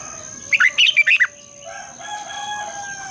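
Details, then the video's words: Red-whiskered bulbul giving its long twisting double-voice morning song: a brisk phrase of five or six sharp, warbled notes, followed by a rooster crowing faintly in the background. "Luyện chào mào hót sáng, Giọng kép xoắn dài"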